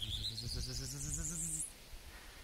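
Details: A migrant Prairie Warbler perch-singing directly overhead at a shrubby forest edge: its thin, buzzy series of quick notes climbing steadily higher in pitch over under two seconds, while a man talks underneath.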